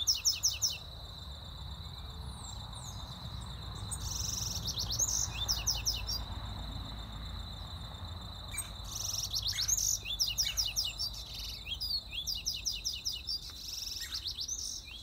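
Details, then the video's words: Double-collared seedeater in the wild, singing quick bursts of high, sharp chirped notes in short phrases repeated with gaps, over a constant high-pitched insect drone. "Coleiro tui tui (mato)"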